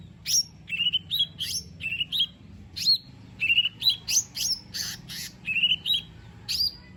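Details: Song of a lesser green leafbird, played as a lure to get another bird singing: dense series of sharp rising chirps alternating with short level whistles, fast and varied throughout.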